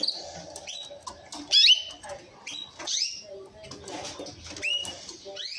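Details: Orange mosaic canary singing: scattered thin whistled notes and quick upward sweeps, high-pitched, broken by short pauses and a few brief rattling trills, with faint low rustling beneath.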